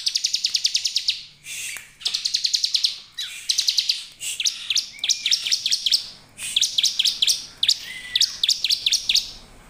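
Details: Lively bar-winged prinia lure song to make other prinias sing: rapid high buzzy trills at first, then spaced, sharp downward chirps in short series, with a faint rising whistle.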